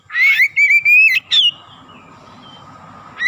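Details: Oriental magpie-robin singing energetically, played as a fast lure to rouse other birds: a quick run of bright whistled, slurred notes in about one and a half seconds, then a steady low hum, with another note starting at the end.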